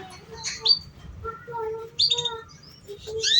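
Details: Canary recording for teaching young canaries to sing: steady low whistled notes held for a moment, broken by bright high chirps and quick upward sweeps.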